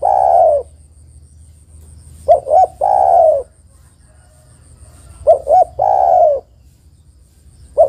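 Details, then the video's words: Female spotted dove calling for a male, a luring call. Repeated phrases about three seconds apart, each two short hollow coos and a long drawn-out descending coo, with silence between. "tekukur betina memanggil jantan"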